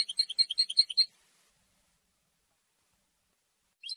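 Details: Territorial and courtship song of a European goldfinch: a one-second run of bright, high chirps at a brisk even pace, then silence, and a faint start of another phrase at the very end.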